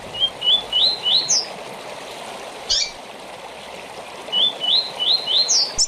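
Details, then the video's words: Double-collared seedeater (coleiro), a tournament bird with a short song, sings two short phrases of quick, high, stepped notes rising to a sharp final note, over faint trickling water. "Coleiro ou Papa-capim com Canto Curto"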